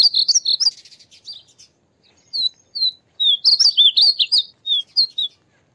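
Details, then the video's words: Painted bunting song: high, sweet warbled phrases of quick slurred notes, bursts separated by short pauses, clean and quiet background. "Painted Bunting Sound to help you fall asleep!!"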